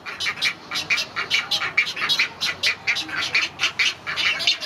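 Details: Great egret chicks at Gatorland on 15 April 2021 beg as a parent feeds them: harsh, rasping chatter in quick repeated bursts, several each second, an insistent scratchy clamour at feeding time.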